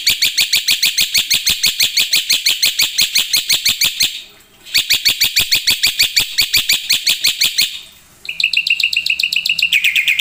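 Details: Vigorously singing black-winged myna, song packed with isian phrases: long fast runs of bright, buzzy, evenly spaced notes broken by two short silences, ending in a higher pulsing trill.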